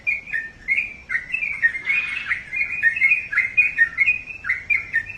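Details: Sooty-headed bulbul singing a continuous chain of clear whistled and chirped notes, each phrase swinging up and down, with a brief rougher burst near the middle.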